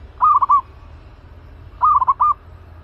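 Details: Aggressive caged zebra dove used for trapping, delivering two identical gurgling coo phrases about one and a half seconds apart, each several quick notes closing on a longer held note.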